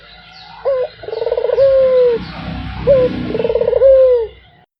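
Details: Two coo phrases from a Barbary dove calling non-stop, each a short bright note, a buzzing roll and a sustained falling coo, over a low background rumble.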